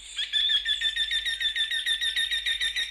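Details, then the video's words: Eurasian wryneck singing a fast series of similar ringing, slightly nasal notes, roughly five per second, held at a steady pitch across three seconds with little background noise. "Jynx torquilla song"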